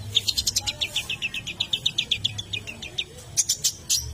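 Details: Long-tailed shrike song used to excite other shrikes: rapid runs of sharp, high chipping notes that speed up and slow down, then break into louder scratchy bursts near the end, over a low steady hum.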